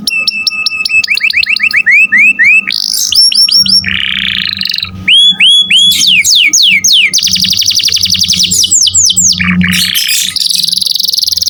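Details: Domestic canary pouring out varied song for training songbirds: repeated rising chirps, buzzy rattles, fast downslurred trills and whistled runs changing every second or two, with a faint steady tone and low hum behind.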